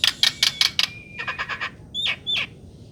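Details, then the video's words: Songbird singing sweetly: a run of five quick buzzy notes, then a softer stuttering series of four notes, ending with two sharp whistled notes that slide downward. "burung bersuara merdu"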